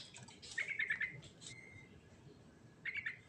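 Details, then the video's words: Sooty-headed bulbul in fast ngerol rolling song, filled with varied notes: a cluster of quick chirpy notes, a short level whistle, then another brief chirpy phrase after a pause, over a steady low background hiss. "Suara Burung Trucukan Ngerol Isian Mewah Paling Cepat Bikin Nyaut"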